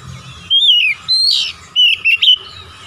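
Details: Whistled song of an Oriental magpie-robin: a falling whistle, then a harsher note and a run of quick rising and falling whistles.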